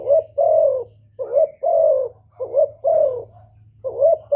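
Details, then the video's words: Male-provoking coo of a spotted dove. Four phrases, each a short hooting note then a fuller prolonged coo that sags slightly in pitch. A low steady hum sits in the background. "TIẾNG CHIM CU GÁY KÍCH TRỐNG RẤT HIỆU QUẢ, GÁY GỌI THÚC KÈM CỰC CHUẨN, CU ĐẤT GÁY, CU CƯỜM GÙ"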